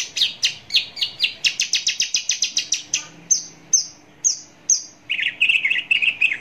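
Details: Javan bush lark at close range: a fast series of high chirping notes that speeds into a rattle, then a few thin drawn-out whistles, then a lower buzzy chattering phrase.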